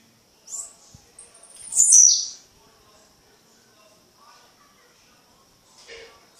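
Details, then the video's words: Blue-black grassquit singing at night in Fragoso, Magé, Rio de Janeiro: a loud, bright, high buzzy burst near the two-second mark, with a few fainter high notes around it and a steady thin high tone underneath. "Tizil ar-15 cantando de noite"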